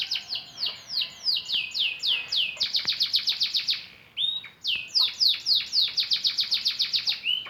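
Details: AF canary practising its song after the moult: fast series of bright downslurred whistled notes, about three to four per second, with a brief pause and a few rising notes before the rapid repeated phrases resume.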